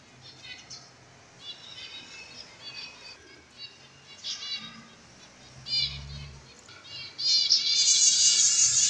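Cockatiel giving bright, harmonic chirps and short whistled calls in quick succession.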